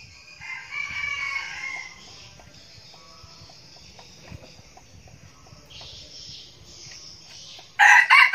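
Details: A frequently crowing decoy red junglefowl from Bình Phước, Vietnam: a short, raspy crow early on, then quiet insect hiss and a sudden loud, harsh burst at the very end.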